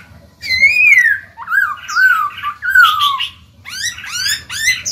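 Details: Black-throated laughingthrush kept as a cage bird, singing to spur other birds into song; varied whistled phrases that rise then fall in long slurs, followed by a burst of high, rapid, buzzy rising notes.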